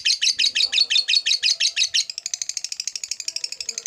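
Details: Lovebird chattering in the drawn-out ngekek style: about two seconds of coarse, evenly spaced shrill notes, then a sudden switch to a faster, lighter rapid-fire rattle.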